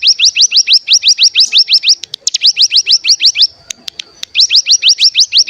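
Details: Mountain tailorbird (cigun) lure recording meant to make other birds sing: rapid chains of high rising notes, roughly ten each second, in bursts of one to two seconds split by short pauses and clicks.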